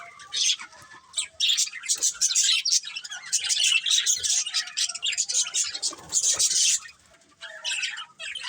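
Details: Colourful budgerigars chirp in a steady high chatter of warbled, buzzy notes and quick tweets, overlapping voices that fade near the end before a last short burst.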